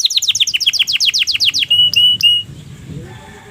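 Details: Canary singing while in breeding condition: a fast trill of repeated downward-sweeping notes followed by two or three clear sustained whistles, then the song stops into quiet background noise.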